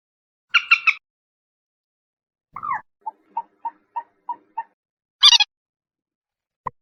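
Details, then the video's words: Common moorhen: a raspy triple burst, a descending croak, then six short clucking kek notes in a steady run. A shrill harsh burst follows, and a sharp click ends it. "SUARA BURUNG MANDAR/PELAN/MANDAR BATU/MOORHEN/GALLINULA CHLOROPUS"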